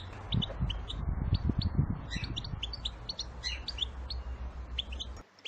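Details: European goldfinch females in a group calling to excite the males into song. Dense, overlapping high tweets run throughout over heavy low-pitched rumbling noise, which ends abruptly near the close.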